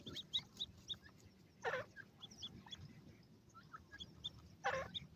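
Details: Playful grey francolin chicks produce thin, high, evenly spaced peeps in quick succession, broken by two louder rough bursts, over a low background rumble.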